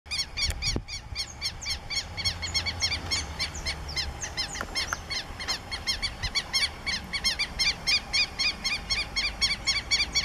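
Southern lapwings give harsh, strident, metallic notes, about four a second, in a steady, excited stream, over low background rumble.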